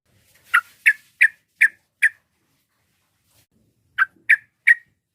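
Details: Sooty-headed bulbul used as a lure for rivals: five sharp, evenly spaced chirps, a pause of about two seconds, then three more, in quiet surroundings.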